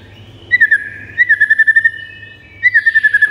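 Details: A white-rumped shama sings to provoke caged shamas into song, giving two bursts of fast, evenly repeated clear whistled notes at one steady pitch, separated by a short gap.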